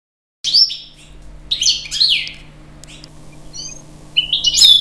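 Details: European goldfinch singing in bursts, with high, rapid twittering phrases and bright whistled notes separated by short pauses; a steady low hum underlies the recording.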